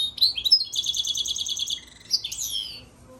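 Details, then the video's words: European goldfinch × Timbrado canary hybrid, recorded March 3, 2024, sings a bright, fast phrase: sharp high chirps, then a quick trilled run of about eight notes, ending in a tinkling twitter. "European Goldfinch crossed with Timbrado canary"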